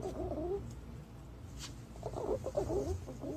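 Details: Green pigeon call used as a lure: soft, wavering whistled notes that rise and fall, in two phrases separated by a pause, with a steady low background hum.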